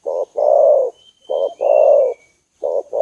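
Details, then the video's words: Spotted dove call used to provoke a rival: breathy, blurred coos in a short-long pattern, repeated about every 1.3 seconds, with a thin faint whistle running above. "burung derkuku / tekukur bikin emosi lawan, hitungan detik langsung nyaut, pikat burung tekukur mp3"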